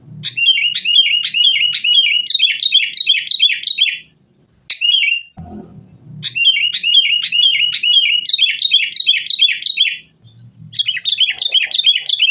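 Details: Sooty-headed bulbul lure song for caged birds, agitated fighting style; long bursts of fast, chattering, rolling whistles lasting several seconds, broken by short pauses and a low knock.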